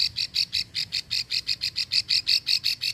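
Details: Rapid chain of high, scratchy clicks, roughly five each second, from a female plain prinia in Ulujami, Central Java, giving the long 'ngekrek' call that attracts males.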